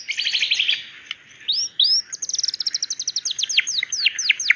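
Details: Female white-rumped shama calling the male: a high buzzy trill, then sweeping whistles and a fast series of sharp downslurred notes repeated several times a second.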